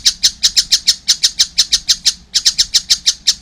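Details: Close, loud rasping calls from a small collared kingfisher chick come about five per second in an even rhythm, with one short pause.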